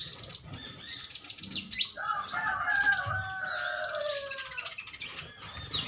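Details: Sunbirds of metallic green colour, a colony trading chirps: rapid high ticking notes, joined midway by longer, lower, wavering whistles that fade downward.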